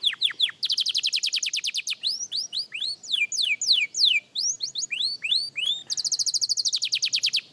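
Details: Young canary in song practice: fast even trills of short repeated notes open and close the passage, framing a middle section of sweeping whistles that slide down and rise.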